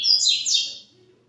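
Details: A caged double-collared seedeater of the pedrada song style, heard at 17:15 in the afternoon; a brief loud burst of high whistled and buzzy notes, fading quickly, in a quiet room.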